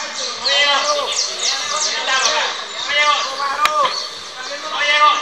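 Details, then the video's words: Saffron finches (Sicalis flaveola, "canario criollo") singing together at a 2024 canary singing contest in Valledupar, Colombia: overlapping bright chirps and arched, slurred whistles repeated rapidly, with faint crowd murmur beneath. "CONCURSO DE CANARIO"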